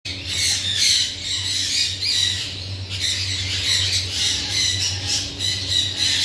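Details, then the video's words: Parrot squawking continuously, harsh high rasping calls overlapping one another with barely a pause, suggesting several birds, over a steady low hum. "raw parrot"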